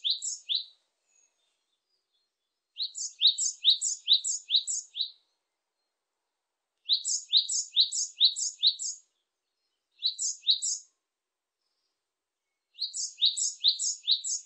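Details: Japanese tit singing bursts of rapid two-note phrases, a high note dropping to a lower one, repeated about five to seven times per burst. Bursts are separated by short silent pauses, with no other sounds.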